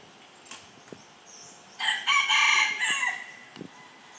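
A red junglefowl gives one short, clipped crow, harsh and rising then breaking off, lasting just over a second, with faint clicks and light background hiss.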